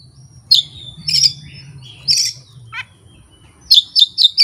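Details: Kacer boldly reeling off learned fill-in phrases without a master recording or a rival; loud buzzy bursts, a short descending rattle, then four quick sharp notes in a row at the end.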